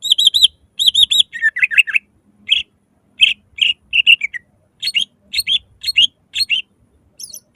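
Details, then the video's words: Greater green leafbird (cucak ijo) in loud, full 'nembak' song, used as a lure to make other leafbirds sing: rapid bright chirped phrases in quick bursts, trilled looping notes and sharp whistled strokes with short pauses between. "Pancingan suara lantang cucak ijo gacor full nembak langsung cepat buka paruh"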